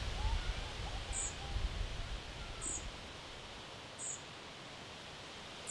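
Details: European Pied Flycatcher fledglings in Sastamala, Finland, on 29 June 2025 give thin, very high calls, a short sharp note roughly every one and a half seconds, over the low drone of a chainsaw.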